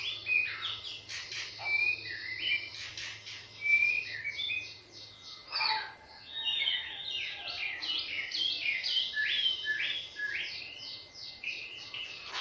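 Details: White-rumped shama song used as bait to make other birds sing: fast, continuous series of sharp, varied whistled notes and rising and falling slurs, with a faint low hum early on.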